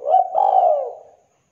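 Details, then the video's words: A single mellow coo from a zebra dove, described as clear and thick-voiced. A brief lead-in note merges into a sustained, slightly wavering tone that fades away after about a second. No other sounds. "DERKUKU TEKUKUR GACOR KUK 2 JERNIH SUARA TEBAL MEWAH"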